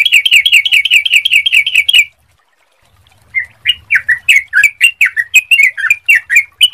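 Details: Lure recording of a sooty-headed bulbul with a clear voice, meant to make others sing quickly: a fast, even chattering trill, a short silence, then a slower series of separate slurred, whistled notes.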